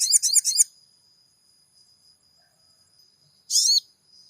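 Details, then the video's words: Sogon (Crimson Sunbird) used to make a caged bird respond: a short, very high stuttering trill of pulsed notes, three seconds of near quiet with a thin steady tone, then another brief shrill buzzy burst. "MASTERAN SOGON GACOR PENJEBOL EMOSI SOGON MACET BUNYI"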